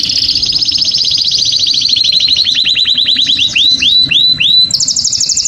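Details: Canary song meant to stimulate and agitate females for mating: a fast series of high rising-falling notes that slows into separate looping sweeps, then ends in a quick high trill.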